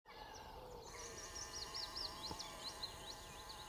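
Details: Adult little grebe feeding and tending two young, Dunfermline, Fife, 2 June 2020: a run of thin, high, rising-falling notes repeated quickly over steady background hum.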